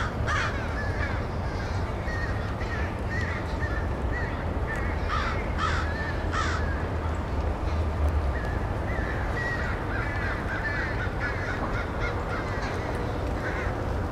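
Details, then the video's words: Large flock of crows gathering to roost at night at K-State, thousands arriving on some nights; dense overlapping harsh caws throughout, with steady low rumbling background noise. "K-State has a lot of Crows who Roost at Night"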